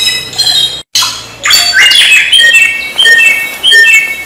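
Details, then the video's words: Samyong song for teaching caged songbirds: a brief gap, then a burst of harsh, dense notes followed by clear descending whistles repeated at an uneven pace. "Suara burung Samyong"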